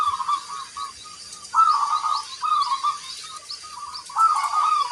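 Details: Singing local zebra dove with a large 'kung' voice: a run of short coos building into longer warbled phrases, with faint high chirps from other small birds behind.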